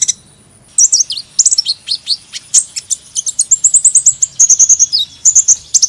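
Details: Continuous hummingbird chatter after a brief quiet start: dense, very high squeaks and slurred twitters that run into rapid repeated chips, bright and metallic throughout.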